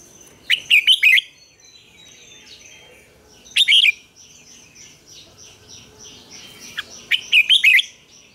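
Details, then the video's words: Red-whiskered bulbul morning song for training other bulbuls, in the wild double-note style: three short, clipped warbled phrases a few seconds apart, over faint continuous chirping in the background. "luyện chào mào hót sáng, Ép chào mào hót âm kép già rừng hay tuyệt!"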